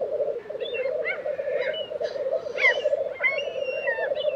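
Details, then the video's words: April lek of black grouse in Tiveden, Sweden: massed low bubbling coos run throughout while other birds add sharp whistles, chirps and a drawn-out thin whistle. "Black Grouse Lek - sound recording"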